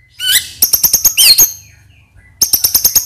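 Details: White-rumped shama lure song to excite other birds: a rising whistled note, then series of fast sharp clicking notes, a buzzy slurred phrase, a pause, and another run of rapid ticking notes.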